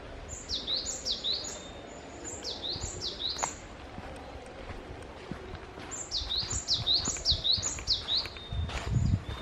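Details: Wild bird on Yeongjangsan in Bundang, South Korea, giving two bursts of high, thin, quickly repeated downslurred whistles, about four to six notes each, separated by a pause, with soft rustling and steady ambient noise.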